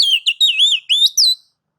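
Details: White-rumped shama singing to provoke other shamas into song: a loud run of five or six clear whistled notes, wavering and rising, each lasting a fraction of a second, ending abruptly.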